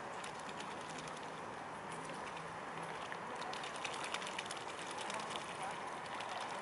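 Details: Steady broadband rushing noise throughout, with no animal calls.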